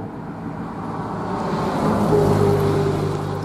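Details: A car approaches and passes outdoors, its rumble swelling then easing slightly, with a faint engine tone and no animal sounds.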